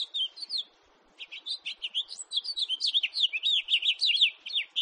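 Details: A house finch, recorded 2018, sings a rapid, warbling jumble of high chirps and slurred notes, a brief pause, then a longer run of twittering phrases.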